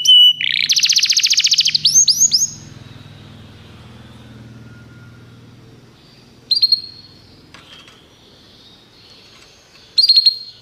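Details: Canary training song: a loud rapid buzzy trill with quick falling notes in the first seconds, then mostly quiet low background rumble broken by two short high bursts of song.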